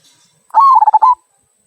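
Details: One clear phrase of the "kung" song of a local zebra dove, meant to draw other birds into song: a short swelling coo, then a quick run of bubbling, stuttered notes ending on a held tone.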